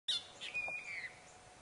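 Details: An Asian Black Bulbul perched on a tree branch gives a single harsh, squeaky call with a thin whistled note that slides down, heard over faint outdoor background.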